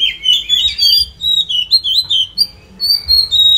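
An Oriental magpie-robin sings a rich, varied run of clear whistles and warbled phrases, sliding up and down in pitch with brief pauses between bursts.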